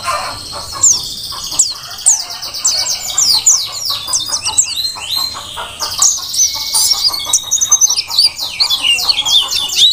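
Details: Merapi forest-type Mountain white-eye singing nonstop as tutor material: a long, busy, chattering warble of rapid high chips and slurs, densely layered throughout.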